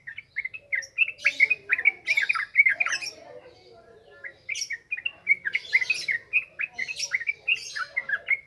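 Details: Yellow-vented bulbul in ngropel ngalas song, played to stimulate untrained birds: rapid, bubbly runs of warbled notes in two long bursts separated by a brief pause, with scattered higher chirps mixed in.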